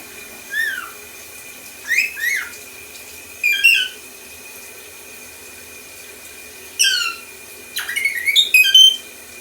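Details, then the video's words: Pet lorikeet, a male kept indoors, imitating R2D2 sounds: bursts of bright electronic-like chirps and swooping whistles, rising and falling, in short groups separated by silent gaps, with a faint steady background hum. "Anakin the Lorikeet talking making R2D2 sounds"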